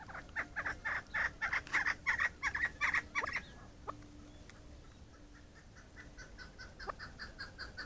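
A chukar gives a fast run of harsh, clucking chuck notes, about three per second, then trails off into scattered softer calls.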